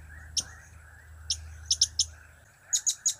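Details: Blue-crowned hanging parrot with cap, kiak and crap calls: scattered single and paired high chips, then a closing run of four louder sharp notes, over a low hum.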